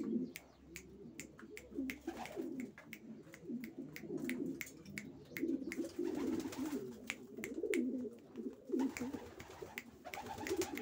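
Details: Racing pigeons cooing together: low, rolling coos overlap continuously from several birds, punctuated by frequent sharp clicks and taps throughout.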